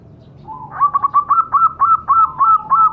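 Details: Zebra dove recording used as a lure to prompt captive birds to call: a run of about a dozen clipped, rapid cooing notes at a steady mid pitch, rising slightly, then evenly spaced to the end.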